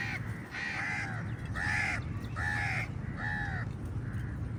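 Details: Crows contesting food with eagles: a run of five hoarse, drawn-out caws spaced about every second, loud and evenly paced, above a constant low-pitched background rumble.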